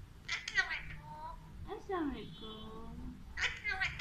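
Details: Talking Alexandrine parakeet mimicking Urdu and Hindi speech: three clusters of gravelly, speech-like syllables with sliding pitch, the middle one drawn out, over a faint background hum.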